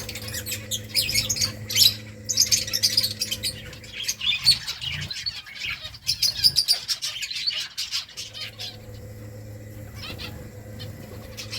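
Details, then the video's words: Several finches eating rice chirp continuously, with thin, rapid, high-pitched tweets packed densely in the first two-thirds before thinning out, against a constant low background hum. "Beautiful finches eating rice 🍚 birds chirping sounds"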